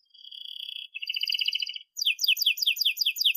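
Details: Canary singing for young birds learning to sing: a steady flat whistle, then a fast pulsing trill, followed by quick high repeated down-slurred notes.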